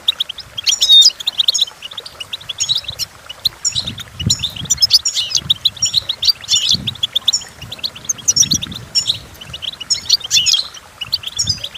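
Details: Goldfinch performing its song, intended as a model for teaching goldfinches to sing: a sustained, bubbly twittering with rapid tinkling notes and repeated short trills, accompanied by faint low rustling in the background.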